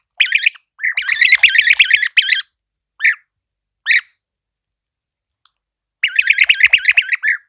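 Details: European Bee-eater calling with its distinctive liquid, burry voice: a long rolling trill of rapid notes, then two isolated calls, a silent stretch, and another dense burst of trilled notes at the end.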